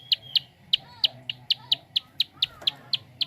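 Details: Prinia giving quick dry clicks, used to stimulate other birds to sing; sharp high ticks spaced a little irregularly, around three to four per second, over a steady low hum.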